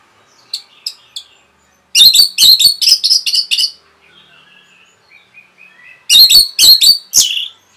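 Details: Rapid song of an orange-headed thrush, meant to provoke rivals: a few soft chirps, then a loud run of about ten quick sharp notes, quiet thin twitters, and another loud burst.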